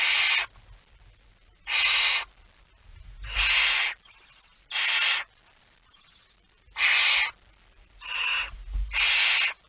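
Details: A barn owl at its nest during feeding on 19 September 2019, 05:28, produces about eight short, harsh, broadband hisses at uneven intervals, with occasional low thumps beneath.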